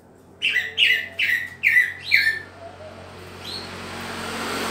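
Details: Green leafbird during pairing, producing five harsh, buzzy descending notes in quick succession, followed by a faint rising whistle and growing background hiss.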